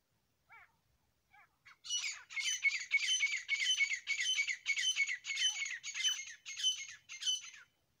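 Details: Grey francolin pair (desi teetar) calling: a few soft rising notes open, then a rapid series of harsh, scratchy squawks, rhythmic at nearly two per second for about six seconds before stopping abruptly.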